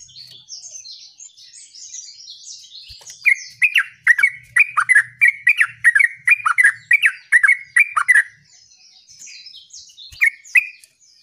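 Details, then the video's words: Sooty-headed bulbul delivering a rolling gacor ngerol burst of quick, liquid, warbled notes about three per second for five seconds, while thin, high twittering from another bird runs before and after. "terucuk Gacor ngerol"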